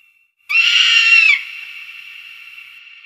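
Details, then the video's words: Harsh, strained eagle scream under a second long, rough and wheezy with a slight downward bend at the end, trailing into a quieter ringing tail. "Âm thanh đại bàng"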